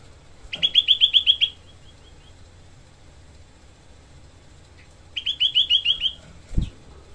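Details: A small Grey-cheeked bulbul delivers its tight, rough 'tembakan' shots, recorded as a tutor for songbirds: two short rattling bursts of rapid repeated notes, several seconds apart, with a dull knock after the second.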